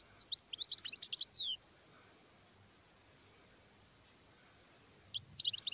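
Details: Wild European goldfinch tebnija song: a quick burst of high, sharp, tinkling notes ending in a downslurred whistle, a long quiet pause, then another bright twittering burst begins.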